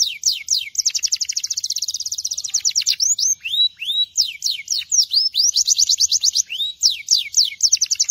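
Belgian canary singing a rapid, continuous run of high trills and rolling notes, with fast repeated chirps and downward sweeps; nothing else is heard.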